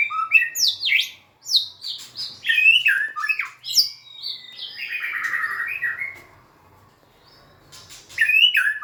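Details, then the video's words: White-rumped shama singing while dancing and wagging its tail: loud, varied whistled phrases sweeping up and down, some rising sharply and others falling, in bursts separated by short pauses, with one long steady note near the end. "Big Sound Birds Singing Chirping, Dancing And Beautiful Tails Wagging - Birds White-rumped shama"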